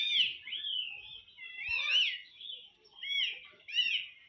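A ring-necked parakeet talks in a high, squeaky, slurred voice, with four short word bursts over about four seconds imitating "mamma pappa." The room is otherwise quiet.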